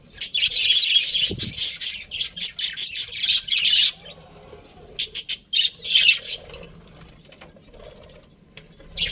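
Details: Colony of colourful budgies with a breeding pair: about four seconds of dense, rapid chirruping, then a lull, then more scattered sharp chirps and squawks in quick clusters.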